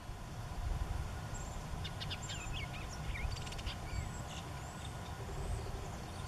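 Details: A Bullock's oriole sings while perched high atop an ancient sycamore overlooking the Santa Margarita River: a brief burst of chattery whistled notes mixed with short rising slurs, over a steady low rumble like wind or distant traffic.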